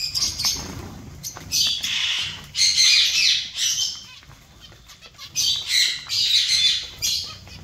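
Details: Bursts of buzzy, nasal zebra finch calls come from the colony in loud clusters separated by a quieter stretch of scattered chirps, with some soft fluttering in the background.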